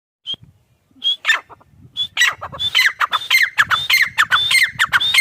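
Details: Grey partridge (teetar) calling: after a few isolated whistled notes, a fast series of loud, harsh phrases builds up, each opening with a high clear whistle and then a falling squeaky note, repeated about every half second.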